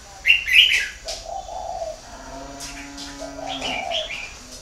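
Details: Northern Vietnamese spotted dove at a Ba Vì breeding farm, Hanoi: two drawn-out low coo phrases in the middle and end, preceded by a loud burst of high chirping from other birds, with a faint steady tone between.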